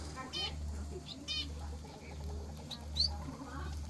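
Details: Aviary finch in the morning giving a few short chirps and buzzy stacked notes, separated by pauses, one sharp rising squeak near the end, over a steady low background hum.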